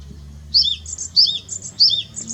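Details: Japanese tit song recorded in 2021: three clear repeated two-note phrases, a high whistled note dropping to a lower one, about every 0.6 seconds, with low background hum.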